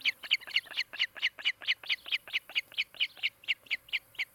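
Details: Nest-camera recording of an osprey calling at its nest in Charlo, Montana, on a July 2018 afternoon: a long, fast run of about twenty loud, shrill chirps delivered steadily, roughly four or five each second, with little else audible.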